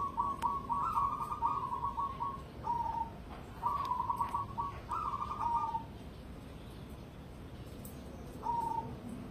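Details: ['Competition-grade cemani zebra dove: long bubbling, stuttered cooing phrases across the first six seconds, then quiet before one short closing coo, over faint background hiss.']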